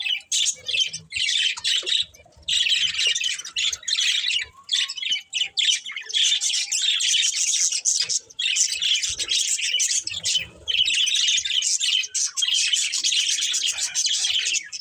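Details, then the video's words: Budgies chattering almost nonstop, a dense high warbling stream of rapid chirps and twitters with only short gaps. "Beautiful Budgies Chirping Sounds"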